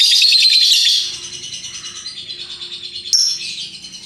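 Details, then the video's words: Colourful lovebird singing ngekek: a loud one-second burst of harsh, grating chatter, followed by a quieter run of rapid, evenly pulsed rattling notes with a brief sharp squeak near the three-second mark. "Burung Lovebird Rupa Rupa Warnanya, Burung Paruh Bengkok, Bunyi Ngekek Gacor"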